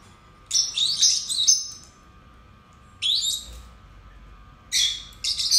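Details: Song of two pet lovebirds: three bursts of high, squeaky, tumbling chatter, the first longest, each broken by a second or more of quiet.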